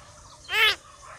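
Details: A common myna talks in human-like fashion, giving one short, loud, bright voiced syllable with a strong harmonic tone, slightly arched in pitch, against faint background hiss.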